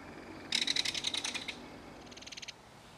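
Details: A harsh, rapid rattle of clicking pulses from a belted kingfisher feeding its young at a mud-bank nest, followed by a second, softer and shorter rattle after a brief pause.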